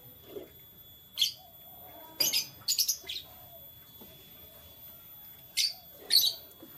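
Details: Morning chirping of canaries, with sharp high tweets in brief clusters, several close together near the middle and two more toward the end, against quiet room noise.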